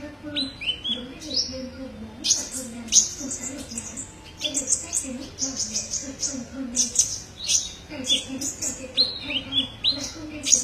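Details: Sunbird, called kolibri ninja, in a masteran recording for songbird training: rapid high, thin chirps and sharp twittering notes in quick irregular bursts, with short downslurred and rising whistles, over a steady low hum and faint voices.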